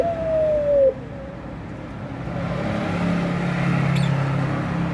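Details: Eurasian collared dove (puter pelung) wanting to mate, giving one clear, drawn-out hollow note that slides slowly downward and ends after about a second, followed by a steady low traffic rumble.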